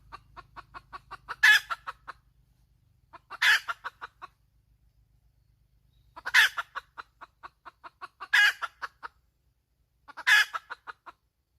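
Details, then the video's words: Five bouts of hen cackling, each a loud harsh squawk trailed by a quick string of fading clucks, roughly every two seconds, with a low hum at the start. "Suab poj qaib tsauj dib tuaj zoo heev"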